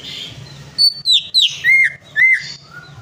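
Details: Short phrase of sharp, descending whistles from a greater green leafbird, five loud notes close together after faint chatter, used to stir a non-singing bird to sing.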